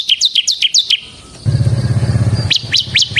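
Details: Bar-winged prinia, semi type, song for luring and training birds: a quick series of high hooked notes, a pause under a low engine rumble, then a few more rising notes.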